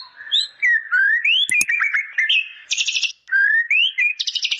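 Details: White-rumped shama song with a bar-winged prinia fill: smooth rising whistles and tumbling chirps, two brief clicks, then short bursts of rapid buzzy trilling near the end.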